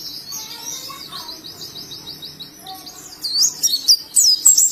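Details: Oriental white-eye from Indonesia, ngalas song: soft, distant-sounding high twittering at first, ending with louder, sharp, looping whistled notes.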